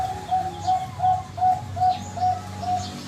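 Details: Bangkok-type zebra dove whose song ends in the style called "yahoi": a steady run of short, clear cooing notes, about two or three each second, evenly spaced at one mid pitch, with a low background rumble.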